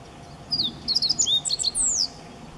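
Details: Siberian meadow bunting perched in a garden tree at Higashi-Mikawa Furusato Park, May 2017, recorded at close range: a full bright song phrase of high thin whistles, quick chips and a long falling slurred note, about one and a half seconds long.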